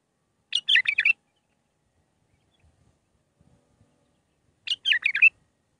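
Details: Bulbul singing the Mandali-style song of six phrases, meant for teaching young birds: two brief, rapid warbled phrases of quick up-and-down notes, about four seconds apart, with silence between.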